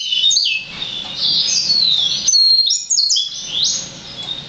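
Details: Six-month-old hybrid of yellow-fronted canary (green singer) and black-throated canary, Serinus mozambicus x Serinus atrogularis, still immature: loud, continuous high warbling with slurred rising and falling whistles, some background noise.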